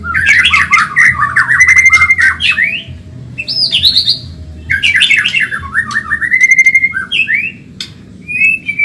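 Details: Fast, lively song of a Medan-type white-rumped shama from a training recording for caged birds: two long, loud phrases of warbled whistles and upward sweeps, each closing on a level whistle, with clicks and a low hum.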